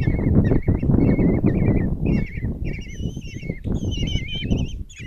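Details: Five common kestrel chicks in a Hungarian nest box at Tiszalök beg while the mother feeds them breakfast, June 26, 2024: quavering, warbling calls repeat rapidly and climb higher later, over heavy low scuffling from the nest.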